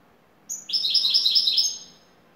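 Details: European goldfinch from Turkey, a top-class bird, singing in the şakşaklı style: one bright, high phrase of about a second of rapid, evenly repeated metallic notes, preceded by a short clipped note, over a quiet background.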